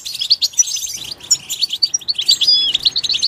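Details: Natural-setting goldfinch producing quick tinkling chirps mixed with slurred whistles that rise and fall, the twittering nearly unbroken throughout.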